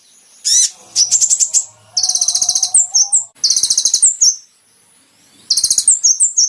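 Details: Kolibri ninja (olive-backed sunbird) in a training recording for caged birds, delivering loud bursts of very high, rapid buzzy trills separated by brief pauses, with sliding whistled notes and a faint low hum.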